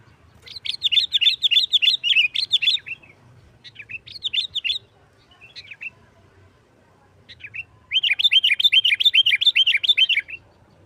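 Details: Natural sooty-headed bulbul song in the aggressive 'nggaruda tarung' style, meant to provoke other bulbuls to sing: long bursts of rapid, bubbly whistled notes, about three per second, broken by short pauses and quieter snatches.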